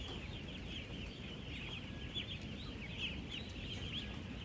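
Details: Young ducklings, ten days old, about 16,000 on a real duck farm, moving about and feeding: a busy stream of high, quick, wavering peeps from the crowd, nonstop over low background hum.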